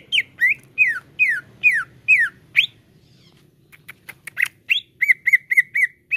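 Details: Greater green leafbird (cucak ijo) song used to coax caged birds into loud singing: a series of downward-swooping whistles, a short gap, scattered clicks, then quick level chirps in a fast string.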